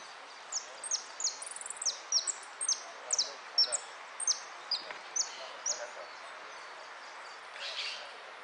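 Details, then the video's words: European goldfinch singing in a contest, 3 February 2013, in the "amarillo de repique" style; a run of short, high, downslurred notes repeated about twice a second over steady background hiss. "Amarillo de Repique"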